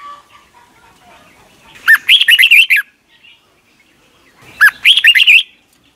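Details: Caged-bird training recording of Red-whiskered bulbul song from Thailand; two crisp phrases of rapid warbled whistles, each under a second, separated by nearly three seconds of quiet.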